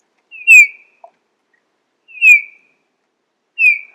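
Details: Eurasian bullfinch giving soft, piping whistled calls, each a short downslurred note, three spaced about one and a half seconds apart against a quiet background.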